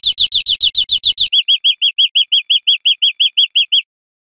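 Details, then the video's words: Teaching recording of European greenfinch song for cage birds: a quick harsh burst of rich notes gives way to an even trill of about fifteen clear, slightly arching chirps. "Canto Verderon"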